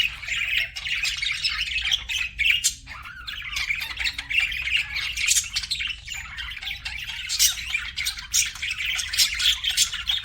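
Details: Several budgies keep up a dense, continuous warble of raspy chirps, clicks and little squawks for about ten seconds, overlapping so thickly that no single call stands apart.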